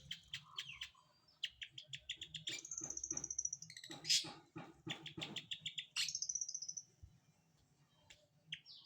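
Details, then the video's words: During a morning bath, a long-tailed shrike delivers a varied, busy song of rapid chattering notes, high thin whistles and buzzy trills, with short repeated clicks near the end. "Mandi pagi!Burung Cendet"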